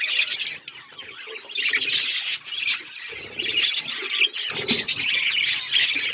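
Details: Several budgerigars chirp and warble together in a dense, continuous chatter of high, scratchy notes, with brief louder squawks rising out of the flock noise.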